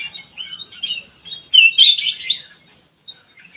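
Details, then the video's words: Bulbul lure sound of the ruby-throated bulbul: soft chirps building to a loud, rich warbled phrase in the middle, then fading to silence with a last faint note. "burung kutilang emas buat pemikat langsung respon"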